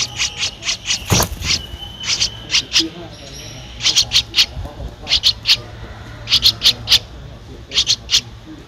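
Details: Nestling Streak-eared Bulbul, 13 days old, Ubon Ratchathani, Thailand, on 15 April 2023, producing rapid, crowded series of shrill chirps in clusters of two to four, with a brief knock and faint thin whistle in the background.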